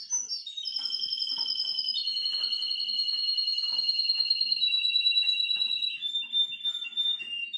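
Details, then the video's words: A nine-year-old male Russian canary instructs his grandchildren with a continuous, loud, high rolling trill, dropping in pitch in distinct steps and sustained without a break for over seven seconds. "russian canary . Пение русских канареек"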